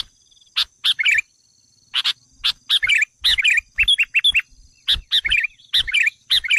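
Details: Sooty-headed bulbul lure call meant to provoke wild bulbuls: bursts of bright chirpy notes, short rapid phrases with tight twittering trills, separated by brief pauses, plus a faint steady high hum throughout.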